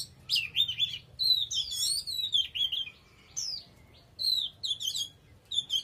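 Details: Oriental magpie-robin giving a vigorous song of bright, slurred whistles that swoop up and down, mixed with quick chips, repeated in lively phrases with short pauses between them.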